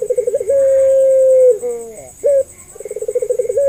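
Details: Puter pelung dove, played as a lure so other doves will respond: a fast rolling pulse run leads to a one-second level coo that dips downward, then a short upward note and another accelerating pulsed roll ending in a sustained coo. A faint steady hum continues.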